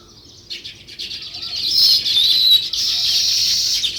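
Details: Sparrows in a loud, continuous high-pitched chatter of rapid overlapping chirps, starting quietly and swelling into a steady dense wash of sound.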